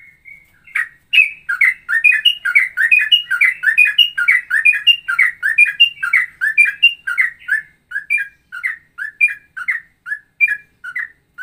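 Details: Straw-headed bulbul giving a ropelan song, combining Cucak Rowo and trucukan elements: a long run of dense, chattering whistled notes that loosens into spaced, bubbling single phrases toward the end.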